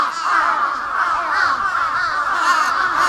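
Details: Large-billed crows fighting in Sapporo, a continuous rush of harsh, overlapping caws and rasping croaks with no pause for three seconds.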